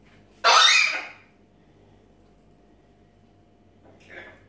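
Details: Pet macaw indoors letting out a single loud, rasping, broadband screech lasting about half a second, then quiet room tone and a faint short call at the end.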